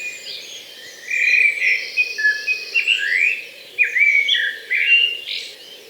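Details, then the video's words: A Common blackbird sings in a Hampshire, UK, garden in 2020: mellow, fluting warbled phrases in short bursts, some ending in thin, higher twittering, over faint background hiss. "the black bird song is a beautiful melody and one of my favorite to hear [Music] [Music] they"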